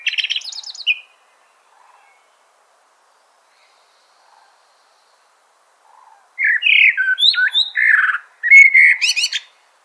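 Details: Song of a Eurasian blackbird: a short twittery tail, a few faint soft notes in a quiet stretch, then a loud phrase of varied fluted whistles followed by squeaky high twitters.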